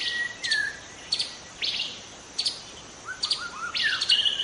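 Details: Wild white-rumped shama from the forest: a level whistle that slides downward, sharp bursts of high clipped notes spaced about half a second apart, then a run of low whistled notes and a buzzy flourish.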